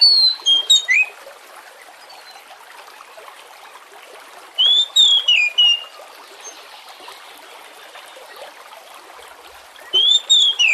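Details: Kacer, the Oriental magpie-robin, used as a lure to get other birds singing: three short phrases of whistled, down-slurred notes spaced several seconds apart, with running water trickling throughout.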